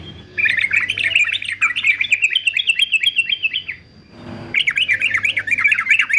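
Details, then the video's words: A male yellow-vented bulbul, fighter type used for training other songbirds, sings a long bubbling warble of rapid looping notes, breaks off for a moment, then resumes with the same tumbling phrase. "TRUCUKAN JANTAN FIGHTER ANTI BISU"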